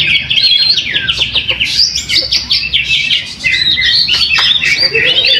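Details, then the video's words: Greater green leafbird, first-place winner of a weekly practice contest in Trowulan, Mojokerto, Indonesia, which was not fully fit. Quick, piercing, high twittering runs with rising and falling slurs fill the clip, with a few lower whistled notes at the end. "AKSI PENAMPILAN EPIK BURUNG CUCAK HIJAU"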